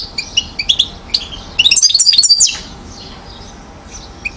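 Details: One-year-old European goldfinch, called acrobatic, at Mouzaia, Algeria, 2012: spaced high chirps building into a fast metallic rattling trill of close-set notes, then trailing off to faint twitters and a final chip.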